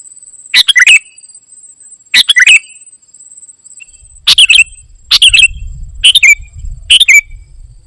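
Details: Kutilang emas, or ruby-throated bulbul, singing gacor isian: repeated short phrases of sharp chirps and rising whistles, coming faster toward the end, over a low rumbling background.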